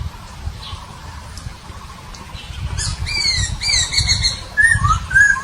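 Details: Recorded in Nabire, Papua, on 26 December 2021, a Papuan babbler starts quietly, then delivers loud ringing whistles with overtones followed by lower slurred notes, with some low rustling noise.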